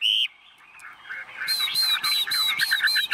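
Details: Chinese hwamei in a hand-carried cage, tame and unbothered by people, gives one sharp high whistle, a quiet pause, then a steady series of clipped repeated notes mixed with rattling clicks.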